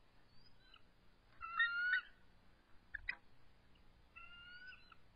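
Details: Resident eagles calling and trilling at their nest as an adult intruder approaches on a March evening. A loud buzzy whistled phrase, then brief sharp clicks, and later a long steady whistled note.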